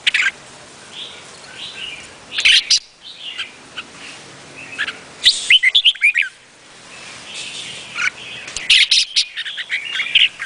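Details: Vietnamese-type red-whiskered bulbul singing lively whistled phrases with sharp, quickly rising notes and rapid chirp runs around the middle and end, set against constant soft chattering from other birds.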